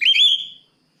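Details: Oriental magpie-robin calling a rival with a single loud whistled note that rises slightly, then holds steady before fading, under a second long.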